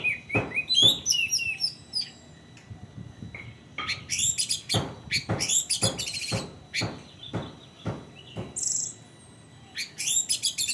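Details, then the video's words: Orange-headed thrush singing in the 'teler ndelosor' style, used as a lure to coax untrained or non-singing orange-headed thrushes into song; high whistled and twittering phrases with sliding notes, broken by many sharp knocking clicks throughout. "Burung Anis merah gaya teler ndelosor buat pancingan Anis merah bahan atau macet"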